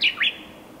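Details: Japanese bush warbler singing: a short, loud, clear fragment of two quick whistled notes, the first sliding down from high pitch, the second dipping low then sweeping sharply upward, with a quiet background.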